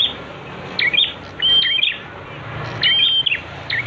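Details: Master recording of a prenjak song for training birds: a few chirps, then a steady high whistle trailing into quick notes, repeated twice with quieter chips between.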